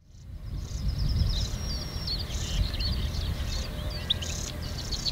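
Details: European Stonechat fledglings being fed at NSG Ahsewiesen, 30 May 2019, 08:35, giving thin, high begging calls, rapid squeaky chirps and short twittering bursts, over a heavy low rumble of wind.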